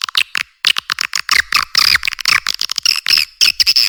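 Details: Edible-nest swiftlet calls played to lure swiftlets to nest houses: rapid bursts of high, buzzy twittering chirps broken by short gaps, with thin sharp notes between them and no low sound beneath.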